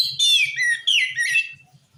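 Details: Oriental magpie-robin (kacer) song meant to get other magpie-robins answering: two quick bursts of rich, warbling whistles sweeping down in pitch, with soft low thumps in the background.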